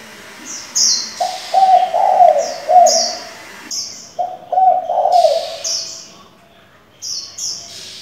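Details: Spotted dove, many-voiced decoy bird for training young doves. Two phrases of soft, low, bubbling coos, the notes run together, over frequent high sharp chirps.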